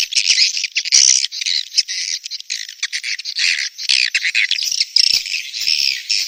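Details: Swiftlet mating call, a breeding-season lure sound: a crowded flock's rapid, scratchy chattering, with high squeaky trills, clicks and brief pauses between choppy bursts.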